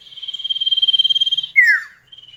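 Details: Common iora in a duet lure for kept birds: a long even pulsing trill, about fifteen pulses a second, held for a second and a half, then a loud down-slurred whistle and a faint high trill.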